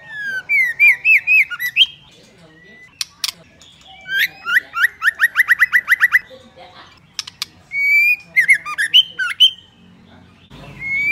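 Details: A female white-rumped shama, used to excite males into singing, gives quick rising whistled notes and harsh chattering squawks in bursts, with a rapid run of repeated sharp notes midway.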